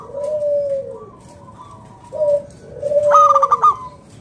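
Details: Local Zebra dove song, used to lure other doves into singing: low mellow coos slurring downward, then a sharp rising note breaking into a fast stuttering trill of clipped high coos near the end.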